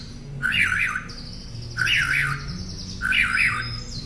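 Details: Northern mockingbird song used as master audio for training caged songbirds: three similar warbled, looping phrases about a second and a half apart, with a thin high whistle drawn between them and a low hum beneath.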